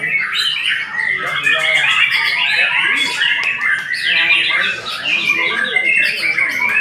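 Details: A white-rumped shama sings a dense, continuous run of varied whistled and chattering phrases that rise and fall quickly. Other voices and background sounds overlap throughout.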